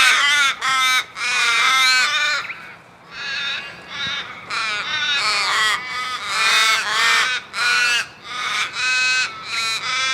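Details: A flock of crows calling loudly: harsh, harmonic caws overlap almost without pause, many birds cawing at once in dense bursts of about half a second to a second, with only brief gaps.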